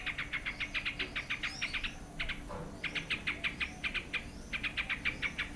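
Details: Yellow-vented bulbul calling: bursts of quick, bright chirps repeated in rapid runs, with short pauses between runs and a brief lower rustle midway; faint vehicle-like rumble in the background.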